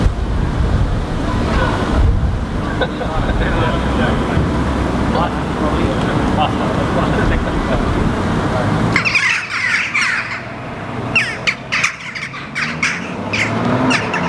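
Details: Eurasian jackdaws (Corvus monedula) interacting while foraging on the ground in Helsinki, Finland, July 2015, give short sharp 'chak' calls in quick bursts over steady traffic rumble; common gulls call faintly in the background.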